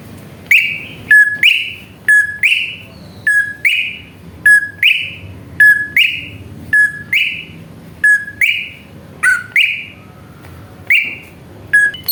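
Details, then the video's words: Greater green leafbird provocation lure: one repeated two-part phrase, a low short whistle followed by a higher rising-then-falling whistle, given roughly every second for twelve seconds against a quiet background. "PANCINGAN CUCAK IJO BIAR EMOSI JAMTROK"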